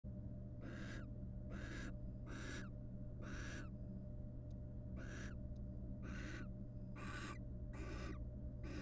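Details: Wild barn owl pair at a monitored nest box, courting by preening each other's feathers; harsh hissing screeches of about half a second each, repeated roughly every second with a few pauses, over a steady low hum.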